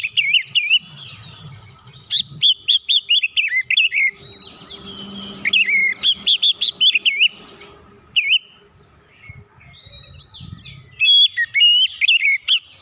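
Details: Oriental magpie-robin song meant to trigger other birds to sing: repeated bursts of bright, warbling whistles and clipped notes, with brief quiet gaps and faint low background hum.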